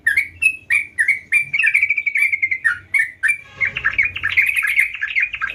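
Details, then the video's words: Gacor song of a sooty-headed bulbul: clipped chirps at first, then a sustained stream of level, liquid notes. It turns into a busy, chattering warble, with faint low rumbling underneath. "Burung Trucukan Gacor"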